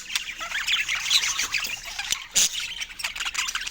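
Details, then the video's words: Budgerigar calling: a mix of buzzy warbles and thin squeaky chirps in quick succession, with one sharp squawk near the middle and a lower soft note at times. "Funny Budgie Sounds Full of Love"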